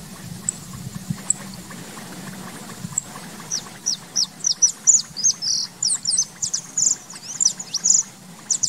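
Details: White-tailed hawk, a large raptor that comes to Uruguay for the summer, giving a rapid series of sharp, high, downslurred notes, about twenty over the last five seconds, after a quiet start with a faint low hum.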